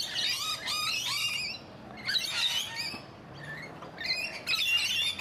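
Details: Rainbow lorikeets in a garden in Donvale, Australia: harsh, screechy squawks and shrill chattering in several bursts with short quieter gaps, over a steady background hiss.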